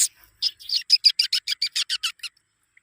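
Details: Black francolin, locally called kala teeter, in Khushab: a rapid series of about a dozen short, harsh, scratchy notes repeated several times a second, ending abruptly.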